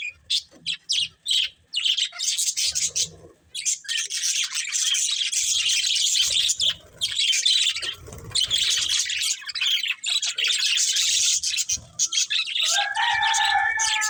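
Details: Budgies play and chirp: a few sharp tweets open into a long, dense stream of high scratchy chatter, ending with a sustained tonal squeal.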